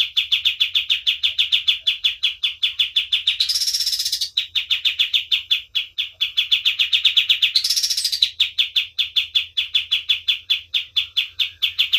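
A white-eye sings a fast, steady stream of high chirps, about six a second, broken twice by a brief burst of sharper, higher buzzy notes.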